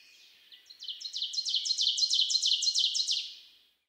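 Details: Ovenbird singing at Road 2182, Nicolet National Forest, Wisconsin: a fast series of ringing two-note 'teacher' phrases, about ten in three seconds, swelling steadily louder before stopping abruptly.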